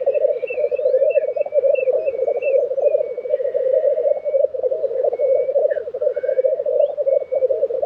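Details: At Tiveden in Sweden, April 2023, lekking black grouse give a loud, continuous pulsing bubble while another bird sings a quick run of high chirping notes, then scattered whistles.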